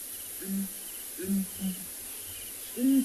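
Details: A breeding pair of southern ground hornbills, male and female, booming at sunrise on 29 December in Tswalu Kalahari Reserve, South Africa. Deep, hollow hoots, four notes over three seconds, the last slightly higher, over soft hiss.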